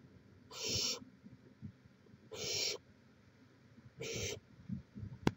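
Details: Barn owl at its nest on a live nest camera in Chula Vista, California, 18 May 2017: three harsh, hissing screeches of about a third of a second each, spaced well apart, over low rustling and scraping.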